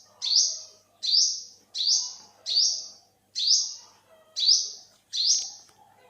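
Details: Olive-backed sunbird, also known as yellow-bellied sunbird, recorded in 2021, giving eight high, sharply rising notes at a relaxed, even pace, with soft low background murmur.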